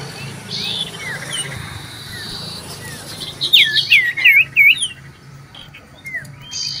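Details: Common iora, recorded 27 December 2022, singing loudly as it seeks a rival: soft thin whistles at first, then a clear run of five looping, curling whistled notes, over steady low background rumble.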